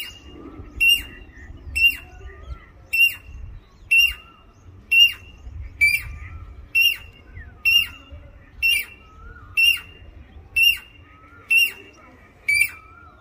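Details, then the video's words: A Jacobin cuckoo gives loud, ringing, metallic notes, one roughly every second, about fourteen in a steady run over a faint low hum. "Jacobin Cuckoo"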